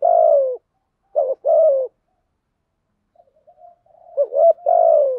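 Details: Spotted dove held as a decoy to draw in wild birds: a long falling coo, a clipped two-part phrase, a pause with soft murmurs, then another full coo sequence.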